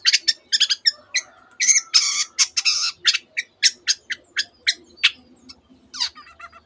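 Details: Long-tailed shrike singing a tightly packed song filled with canary and other bird imitations: fast sharp clicks, harsh buzzy blocks and brief whistles in quick succession.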